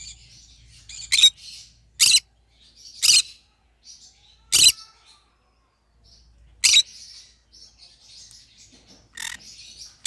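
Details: Pet green-cheeked conure described as singing: sharp, loud rasping squawks roughly once a second, then after a pause more shrill calls, with quiet high twittering chirps filling the gaps.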